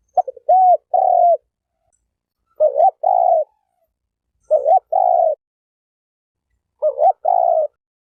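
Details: Spotted dove repeating its cooing phrase four times over about eight seconds. Each phrase opens with a brief wavering note and ends with a longer, steady, low coo. No other sounds are heard.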